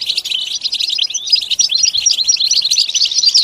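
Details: Goldfinch song: a fast, unbroken chatter of high tinkling and slurred chirps, run together into a lively jingling stream throughout.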